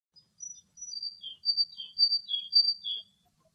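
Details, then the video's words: Very young, wet eastern black-eared wheatear in Greek nature, drying its feathers in the sun and preening after bathing; thin high scratchy notes and short twittering phrases, repeated roughly twice a second, with brief pauses between. "Eastern black-eared wheatear song"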